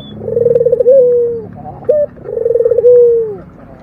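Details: Two purring coos of a local puter dove. Each starts as a quick vibrating trill and eases into a long, low, slightly falling tone. A brief clipped note sits between the phrases.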